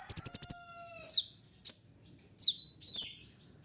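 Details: Kolibri ninja sunbird opening with a quick burst of rapid high chips, then spaced loud falling chirps and thin whistled notes.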